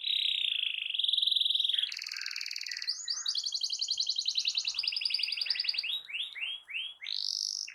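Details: Singing canary used to prompt a silent canary into song. A steady whistled tone gives way to buzzy trills and a rapid pulsed roll, then several slurred descending notes.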